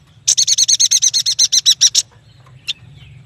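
A yuhina gives a rapid trill of about fifteen high, evenly spaced chirps in under two seconds, then two single high notes after a pause.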